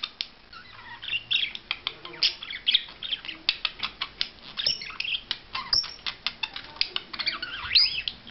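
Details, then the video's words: Budgerigar during a courtship display: continuous chattering warble of rapid clicks, chirps and short squawky notes, dense and high-pitched, with quick bursts through the whole stretch. "Perruche Ondulée Parade Amoureuse"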